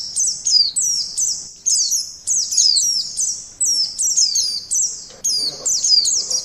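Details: White-eye lure song made of loud, very high chattering twitters and slurred falling whistles, delivered in quick successive bursts through the recording.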